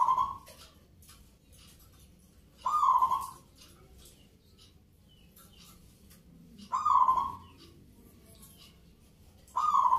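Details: Local zebra dove at a Yogyakarta cooing competition, Nglagu Ngepat Mentaraman style: four low, rolling, gently trilled coo phrases spaced three to four seconds apart, with faint clicks and room noise.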